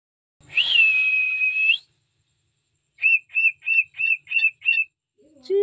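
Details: Pet cockatiels singing: a long, steady high whistle rising at the start, a pause, then six short, evenly spaced whistled notes, ending with a lower, hoarse phrase.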